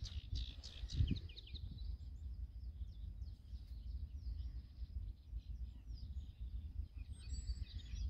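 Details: A singing male sedge warbler at Goxhill Marsh, Lincolnshire, UK gives a fast, scratchy chatter of varied high notes and trills, faint beneath a steady low rumble of wind.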